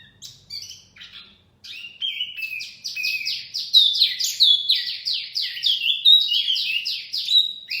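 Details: Wambi mini singing as a bird lure: a few scattered high chirps, then a fast accelerating run of loud downslurred whistled notes that tumble over one another.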